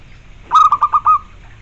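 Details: Single cooing phrase from a captive zebra dove (perkutut): rapid bubbling pulses, five notes in quick succession closing with a sustained, fading coo, mid-pitched, with soft low background noise.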